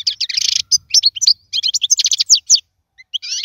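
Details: European goldfinch song used to teach chicks: a buzzy, dense twitter at the start, then a fast succession of bright, sharp chirps and trills, ending with a short pause and a final buzzy burst.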